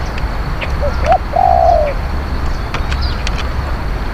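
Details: Spotted dove used as decoy for luring wild doves, giving one low, hollow coo phrase: two short soft notes, then a longer drawn-out note that slides gently down, over faint background hiss.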